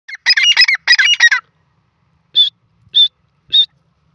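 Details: Grey francolin (teetar) calling: three quick bursts of loud, harsh, ringing notes, then a pause and three separate shrill, whistled notes spaced about half a second apart, with a quiet background.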